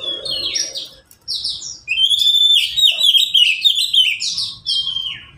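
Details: Oriental magpie-robin in a cage among three kept birds calling back and forth, recorded for use as a training song for lazy birds; rapid buzzy chirps and falling whistles, a brief pause, then a long bright whistled phrase with fast warbled notes.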